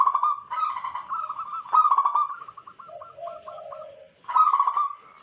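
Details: Wild local zebra doves used as a lure: a long rolling coo that breaks into evenly spaced short notes over a lower soft call, then another loud rolling phrase.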